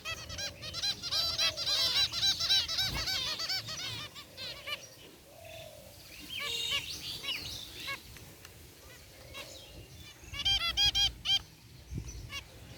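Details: An aviary group of zebra finches, gray and white birds, chirping: fast runs of nasal, stacked beeps, an intense burst at the start and another near the end, with quieter chatter and low rumble between.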